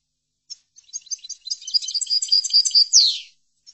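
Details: European goldfinch song used to train goldfinches: a lone note, then a building phrase of rapid tinkling chirps ending in a buzzy descending note, followed by one short final chip.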